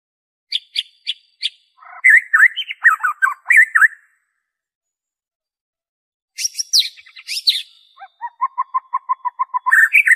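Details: White-rumped shama singing its own unmixed song, meant to trigger singing in captive and wild shamas: spaced high chips, tumbling warbled phrases, a pause, sharp high notes, then a rapid evenly repeated low piping series.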